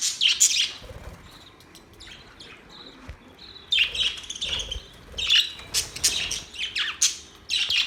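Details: Budgies giving scattered high chirps, short rising and falling whistles and scratchy notes, with quieter gaps between livelier bursts.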